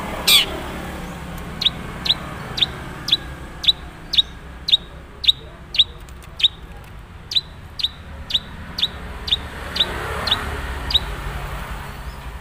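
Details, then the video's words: Madura-type long-tailed shrike, said to have few mimicked fill-ins yet, repeating sharp, high, clipped chip notes roughly every half second for about ten seconds, after one loud opening note, over faint background hiss. "suara asli cendet madura"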